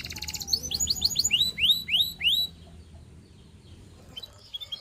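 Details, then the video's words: Russian singing canary with a seductive song for other canaries: a short fast trill, then a series of upward-curving whistled notes, fading into quiet with a few faint distant chirps. "A Special Canary to Seduce All The Canaries - The Russian Singing Canary"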